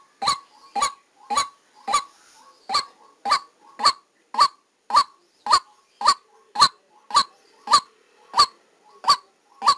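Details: Decoy white-breasted waterhen recorded live during trapping, giving harsh, hoarse single notes about every half second. Each loud note is preceded by a soft short note, with 17 notes in steady, monotonous rhythm.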